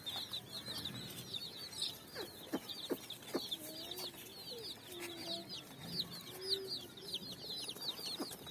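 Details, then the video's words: Dyed chicks running about on sand at evening, finding food: steady high chirping from many chicks, with scattered clicks and a few softer, lower drawn-out peeps. "Chicks Chirping"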